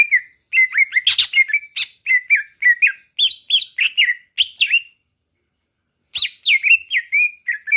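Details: Greater green leafbird from Kalimantan in full, vigorous song: rapid phrases of slurred, dipping whistles mixed with sharp, buzzy chattering notes, a brief pause, then another fast burst of whistles and harsh chips.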